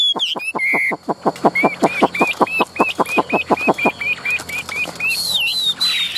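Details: Caged Chinese hwamei repeating a short hooked whistle about twice a second, over a steady train of sharp percussive clicks. The phrase ends in a higher, wavering whistle with a rushing noise behind it.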